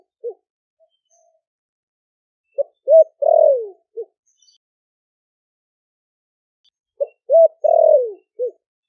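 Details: Spotted dove, a wild-caught bird caged four months in Ninh Thuận, calling other doves with thick 'thổ sấm' style cooing: two four-part phrases a few seconds apart, each with short notes around a long, sinking coo. Quiet otherwise.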